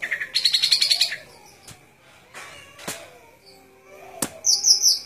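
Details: Golden-fronted leafbird: a rapid pulsed buzzy chatter of about a dozen notes, quiet gap with clicks, then a high thin trilled phrase.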